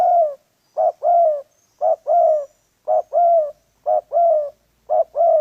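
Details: Spotted dove calling during wild pigeon trapping: a loud, low cooing phrase of a short note followed by a longer, slightly falling coo, repeated about once a second, with no other clear sounds.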